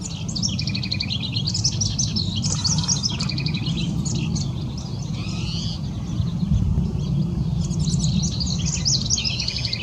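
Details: House wren (Troglodytes aedon) singing on the Lower Enchanted Mesa Trail, Boulder, Colorado: rapid, bubbly cascades of high chattering notes in repeated bursts, over a steady low rumble of distant noise.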